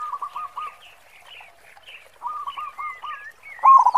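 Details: Zebra dove of the local type with a big 'khong' voice, kept as a lure: soft runs of repeated coos among other birds' chirps, ending in a sudden loud rolled burst.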